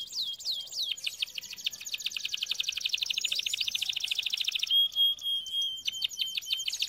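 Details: Canary song meant for canary training: a few swooping whistles open into a dense rolling trill, followed by a flat sustained whistle and renewed quick downslurred notes.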